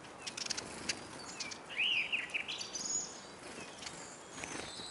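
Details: Eurasian siskin at a feeder in Kolmården, Sweden, recorded from the ground under the bird table: one clear wavering whistled call, rising then falling, amid faint twittering and soft clicks.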